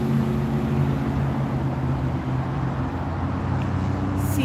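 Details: A steady low engine drone and rumble fills the air outdoors, with muffled voices and no animal calls.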